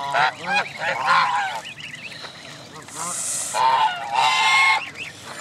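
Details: Canada goose families with goslings gathered at Jess Ranch Lakes Park, May 23, 2014: loud, nasal honks in bursts, mixed with thin rising peeps, and a brief harsh hissing rush midway.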